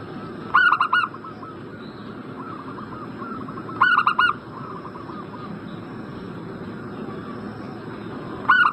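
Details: Repeated zebra dove cooing used to stir a bird in breeding condition to respond: three loud four-note phrases spaced roughly three to four seconds apart, with softer cooing from other doves between them.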